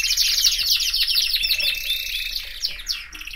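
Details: Canary singing a fast, continuous warbling song of high buzzy trills and chattering rolls, with no pause and no other sounds.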